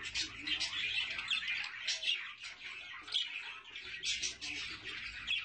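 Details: Budgie adults and chicks together, producing steady high-pitched twittering and chirps, stacked in rapid irregular bursts throughout.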